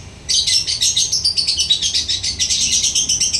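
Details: Lovebird singing the ngekek style, an unbroken fast chattering trill of scratchy high pulses, roughly eight per second, running for several seconds.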